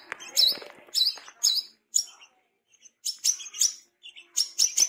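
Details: A tame brown-throated sunbird in full, active song: sharp, very high chirps and short buzzy bursts delivered in quick clusters of two or three notes, with brief silent gaps between clusters and a faint low rustle near the start.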